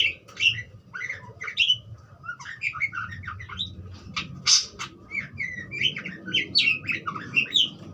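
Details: Budgerigar song of quick chattering chirps and buzzy notes, with a sharp high click near the middle, continuing steadily over a low background hum.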